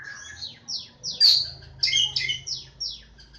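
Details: Javan Oriental magpie-robin (kacer Jawa), Lebakgowah, giving a lively sequence of sharp, downslurred whistles and scratchy squawks, with a faint low hum underneath.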